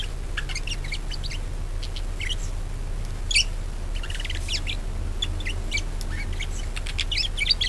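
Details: Budgerigar sounds meant to get other budgies singing: scattered short high chirps and chattery notes spread throughout, fairly soft, over a low rumbling background.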